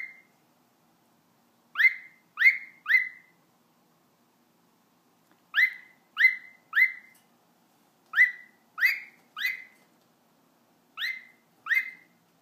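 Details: A male pet cockatiel sings short, bright whistled notes in quick groups of two or three while his owner encourages him.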